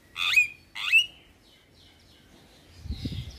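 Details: Javan myna (jalak kebo) in a training-song compilation for caged birds: two loud, harsh, upward-sweeping notes ending in short whistles, then faint scratchy notes and a low rumble.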